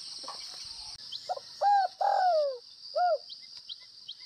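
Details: Spotted dove, Tây Bắc type, gáy gù (bo): faint short notes, then a hooked coo, a longer loud note gliding downward, and one more short coo, with a high insect whine throughout.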